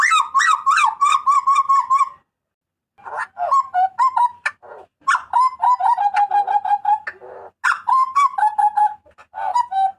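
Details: Papuan butcherbird giving loud, harsh, ringing cries, used for tutoring and luring cage birds: bursts of strident notes with rich overtones, a pause near two seconds, then long runs of rapid, slurred, falling phrases.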